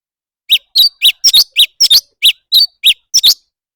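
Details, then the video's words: Competitive singing of a leafbird: loud, clipped chirps, some single and some doubled, given in a quick, uneven string of about a dozen notes. "Noog kaus tsawb ntsuab quaj//thanh tước hót đấu"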